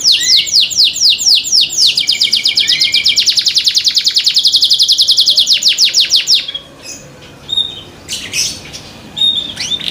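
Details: Caged canary song meant to set other canaries singing: a run of quick downward-sweeping notes merging into a dense rapid trill, then quieter scattered chirps after six seconds.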